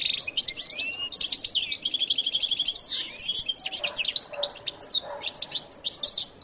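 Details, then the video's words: Energetic goldfinch song in jilguero latino style: rapid buzzy trills, sliding whistles and tumbling chirps pour out without pause, rich and varied, fading slightly toward the end. "canto de jilguero latino"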